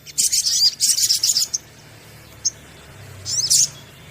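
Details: Sunbird song meant to lure birds into singing: three bursts of high, buzzy twittering in quick succession, a lone short chip, then a final rapid squeaky flourish after a pause.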